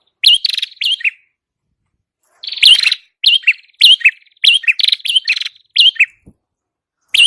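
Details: Song of the prenjak kepala merah, a red-headed prinia, used to attract birds for catching. Chirped notes with downward buzzy tails come in quick series, nearly a hundred a minute, after an opening pause.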